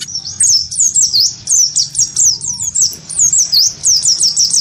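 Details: Gelatik batu of the wingko type, singing vigorously as it is provoked into its fighting sound against a white-eye; fast high slurred chirps repeat in a dense run, and a low hum sits underneath.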